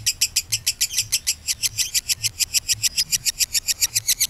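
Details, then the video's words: Long ngekek trill from a kabayan lovebird, used as a lure so other lovebirds start to sing. Rapid, raspy chattering pulses, roughly six a second, run unbroken and evenly spaced across the whole stretch. "PANCINGAN LOVEBIRD KABAYAN NGEKEK PANJANG"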